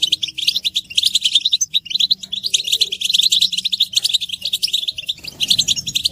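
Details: Collective goldfinch twittering, described as mating and readiness calls that rouse silent males: continuous tinkling, fast chirps packed tightly together, with a low steady hum beneath and a softer rustle near the end.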